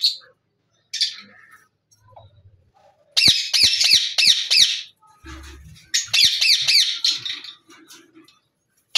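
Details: A pair of yellow rose-ringed parakeets give harsh, high screeching squawks in quick bursts, several rapid notes at a time, with brief pauses between volleys.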